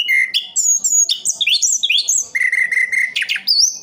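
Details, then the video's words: Loud, clear song of a kept Orange-headed thrush from East Java: fluty upslurred and downslurred whistles, a steady repeated mid-pitched note, then sharp high whistles, all delivered briskly. "Anis kembang "Anti Gempa". Rooll full"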